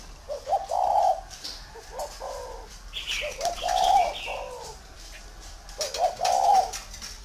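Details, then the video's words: Spotted dove, a large tamed bird, giving a low mellow cooing call: three phrases, each a short note before a longer hoarse coo, spaced about three seconds apart. Faint chirps from other birds are in the background. "CHIM CU TO THUẦN KHÁCH"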